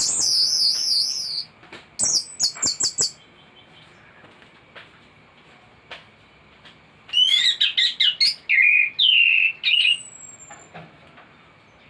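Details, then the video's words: Tutor recording of a thrush singing continuously with a full repertoire: wavering high trills, a pause, a burst of sharp chattering notes, then a run of loud warbled phrases repeated in quick succession before quiet. "Anis gacor teler isian komplit materi masteran burung anis pancingan bunyi"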